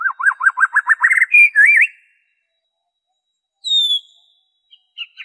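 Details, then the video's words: White-rumped shama's original song, used to prompt captive and wild shamas to sing: a quick run of about ten rising whistled notes, then a slurred phrase; after a pause, a high clear falling whistle and a few short notes. "PANCINGAN SUARA MURAI BATU ORIGINAL"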